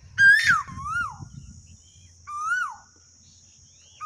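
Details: Asian koel in rural India giving two softer whistled notes, each climbing then falling, about two seconds apart, against faint low background noise and a thin steady high hum.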